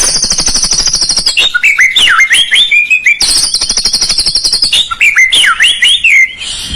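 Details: White-rumped shama song used as a lure to stir a lazy bird into singing: long buzzy high rattles alternate with rapid whistled, swooping notes that dip and rise, repeated twice.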